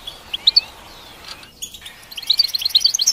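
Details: Goldfinch song in brief form: a few sharp chirps, then a short near-silent gap, then a quick burst of bright twittering notes.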